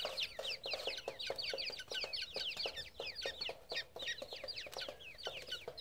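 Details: Several grey francolin chicks give a dense, continuous chorus of shrill downslurred peeps, several per second, overlapping. Soft lower clucks sound beneath the calls.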